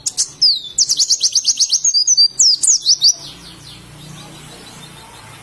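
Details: Oriental white-eye, described as wild-type forest singing from Indonesia; a rapid run of high, sharp slurred whistles repeated about three per second for two and a half seconds, then quiet with faint low background hum.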